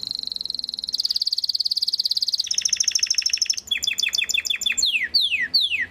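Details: Belgian canary called galador singing a sustained high rolling trill, a lower buzzy roll, then a string of quick clipped notes and several loud descending whistles.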